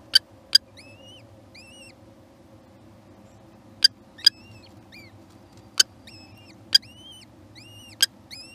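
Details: At a kestrel nest with young hatching, high whistled notes that rise then fall come in pairs and small groups. Loud sharp clicks break in between them over a faint low hum.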